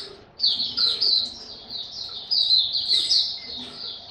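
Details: Caged white-eye singing in an open song display: rapid, high, twittering warbled phrases that run in bursts with short pauses, and faint low background noise.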